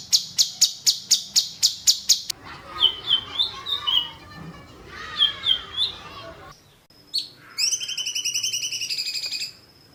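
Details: Songbird in the 'tembakan jitu' masteran style. It starts with a fast run of sharp high bursts, then gives clear whistled phrases that slide down and up. A quick, dense trill follows after a short pause.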